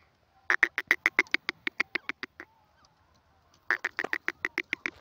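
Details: Francolin calling in two rapid bursts of harsh, clucking notes, about a dozen quick strokes in the first run, a pause of roughly a second, then a second fast burst; no other sounds stand out.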